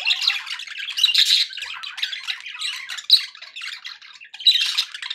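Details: Happy budgies in a room give scratchy, bubbling chatter with clear whistled pips and loud squawky bursts, fading briefly near four seconds before picking up again.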